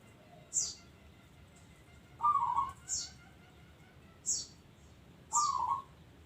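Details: Local zebra dove cooing with two rippling, trilled phrases, interleaved with sharp high chirps from another small bird.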